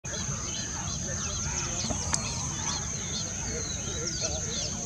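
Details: Barn swallows recorded on April 11, 2023: many quick, thin, twittering chirps that overlap throughout, with one sharp click near the middle, over a steady low rumble and constant background noise.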